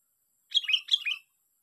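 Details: Sooty-headed bulbul, caught by luring, sings one brief phrase of four quick, liquid notes that dip and rise, given in two linked pairs.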